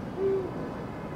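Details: One deep, flat hoot from a Eurasian eagle-owl early in the recording, made 16 February 2023, lasting about a quarter second, followed by steady low rumbling noise.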